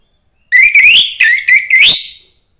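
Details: Five loud slurred whistles from a young orange-headed thrush from the forest, rising and falling in pitch, the last one sweeping upward, in a quiet setting.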